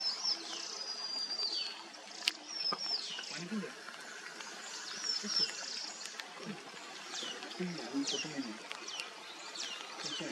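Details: Manipur fulvetta, also called streak-throated fulvetta, in the Mishmi Hills, Arunachal Pradesh, India, in April 2023: thin, high, sharply descending notes repeated about every one to two seconds, with a steady rushing background like running water.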